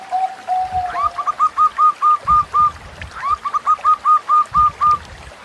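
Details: Zebra dove of Bangkok or local stock, a kept songbird: a soft opening note, then a fast rolling series of about eight short coos, the whole phrase given twice within five seconds over low background noise.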